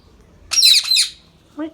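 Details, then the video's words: Pet Indian ringneck parrot letting out a loud, harsh, buzzy screech in several quick pulses, then a shorter nasal squawk a moment later. "Indian Ringnick Parrot natural sounds"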